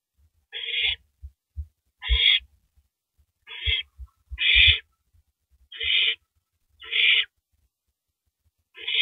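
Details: Female owl feeding on a large rabbit at 3:33 AM, April 9, 2012, before swallowing it; seven ragged hissing screeches at uneven intervals, mixed with repeated low thumps and knocks from the feeding.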